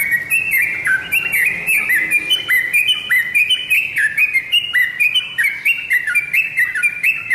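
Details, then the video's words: Tame yellow-vented bulbul singing persistently: dense, bubbly chirped phrases of short rising and falling whistled notes, overlapping almost without pause, with faint high ticking above. "Burung trucuk jinak gacorrrrr dorrrrrr"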